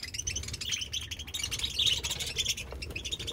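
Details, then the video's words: Budgerigars kept as pet birds chirping in a steady run of high, warbling chatter and short squeaky notes, a few brighter peaks near the middle, over a low background hum. "budgies chirping"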